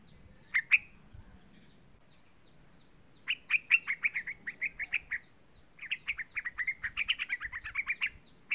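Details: Young yellow-vented bulbul call, used as a lure to get other bulbuls calling. It gives rapid runs of short, chirpy notes, about six per second, in two bursts after a brief opening pair.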